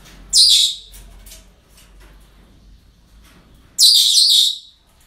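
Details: Two loud, hoarse screeches roughly three seconds apart from parrots at a breeding centre on a normal day, with faint clicks and low hum between them.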